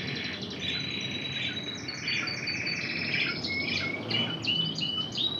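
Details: Spanish Timbrado trained intense red canary singing a high whistled note that gives way to rising slurred phrases and short trills, over a low steady hum.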